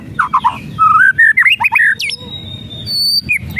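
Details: Lure song of the white-rumped shama, whistles and rattles meant to make a lazy bird sing: clear varied whistled notes, some level, some swooping up and down, in a rapid run, then a thin high whistle and brief sharp notes.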